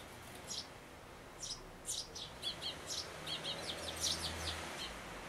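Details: Sparrow parents at a birdhouse on 11 May 2012, coming and going as a well-grown chick looks out, a day before fledging; a quickening run of short, high, clipped chirps building toward a rapid chatter, with a low hum underneath.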